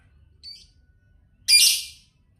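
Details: Lovebird of the labet type, said to be in an emotional, excited state, gives a brief high squeak followed by one loud, harsh, buzzy squawk about half a second long over a quiet background.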